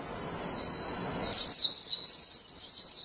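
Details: A wild-caught warbling (Japanese) white-eye, Zosterops japonicus, sings a long, unbroken run of very high, thin twittering notes. The song gets louder and busier about halfway through.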